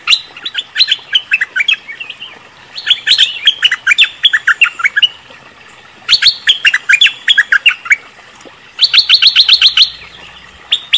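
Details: Cream-vented bulbul, recorded as a lure call meant to draw replies, gives bursts of bright, chattering notes, falling and rapidly repeated in runs of about two seconds with short pauses between.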